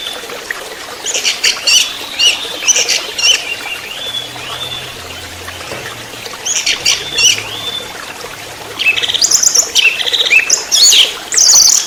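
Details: Orange-headed thrush, trotol-style song used as a lure recording: high, rapid chattering phrases with slurred whistles, given in separate bursts with short pauses between, over faint low background rumble.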